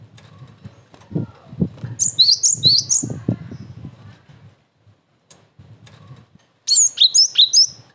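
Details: Cinereous tit singing with strong emotion, used to make other tits respond and to train young birds: two quick bursts of bright, high whistled notes with downward swoops, between stretches of wing flutter, thumping and rustling.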